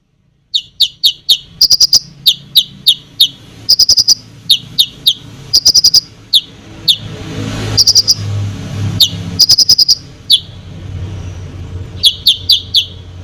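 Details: Konin singing energetically to provoke other birds, a series of sharp, high chirps and short downslurred notes in quick bursts, pausing between phrases, over low background hum.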